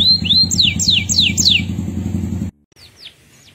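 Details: Male canary singing actively: high, sharply descending whistled sweeps repeated rapidly, over a steady low engine rumble, then a sudden cut to quieter faint notes.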